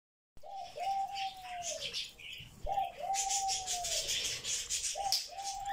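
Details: Pet grey parrot vocalizing non-stop all day at home, giving a clear mid-pitched whistle that starts high and slowly falls, repeated three times, over soft scratchy rustling and chatter.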